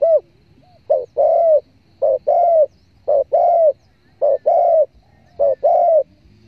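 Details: A spotted dove lure recording for bird hunters. A regular pattern of a short lead-in note and then a fuller, slightly falling coo repeats five times, about once a second, against silence.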